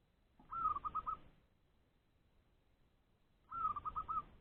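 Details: Trap-caged zebra dove (perkutut) calling ngerot style to lure nearby wild rivals: two bursts roughly three seconds apart, each a fast stuttering series of soft rolling coo notes that starts slightly higher and then stays level.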